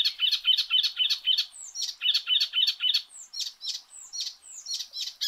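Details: Icterine warbler giving fast rhythmic chirps, about four a second, shifting into downward-sweeping notes repeated in a steady pattern.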